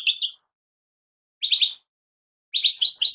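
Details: Three short bursts of quick, tinkling chirps from European goldfinch fledglings, separated by about a second of silence each.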